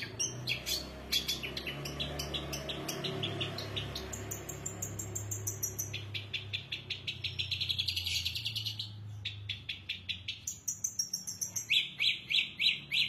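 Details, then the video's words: Long-tailed shrike delivering an elaborate song of rapid, high ticking notes, sustained whistled tones and fast trilled runs, shifting pattern every few seconds, with a steady low hum behind. "cendet gacor isiannya mewah banget"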